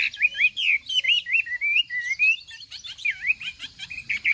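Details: A Chinese hwamei's morning contest song: smooth, looping whistles sliding up and down, followed by a busier stretch of quick overlapping chirps and more slurred whistles.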